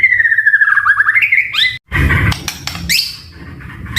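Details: White-rumped shama in a lure and training recording: a slowly descending warbled whistle climbs to upward-flicking notes, then a brief gap, a noisy burst and sharp chips.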